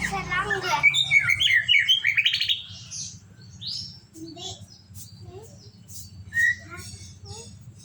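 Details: White-rumped shama (murai batu) delivering a fast, warbled string of whistled notes at first, then scattered softer chirps over a steady low hum and faint voices.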